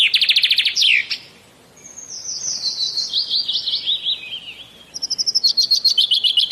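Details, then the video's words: Shalik, or common myna, from Bangladesh: a fast rattling series opens the clip. A long warbled chatter follows, stepping downward, then a string of sharp, evenly spaced high notes. "Common Myna Bird Sound ! Shalik Pakhi Bangladesh Birds ! Shalik Pakhi dark ! শালিক পাখির ডাক"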